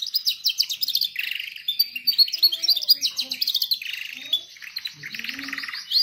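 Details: Continuous canary singing used to train canaries, full of rapid high twittering notes, fast rattling trills and short whistled slides, with hardly a pause throughout.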